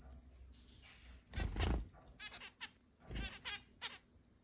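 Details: Pet zebra finches, eight birds in a large indoor cage with free flight in the home, 10 July 2022: a few brief, harsh, nasal calls spaced irregularly, separated by dull knocks and background room noise.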